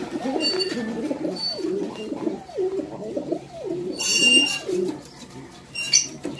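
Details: Pigeon whose egg has just hatched; a steady run of soft, low, throaty coos in arching pulses, one after another, with brief bursts of higher rustling and chirps near the end.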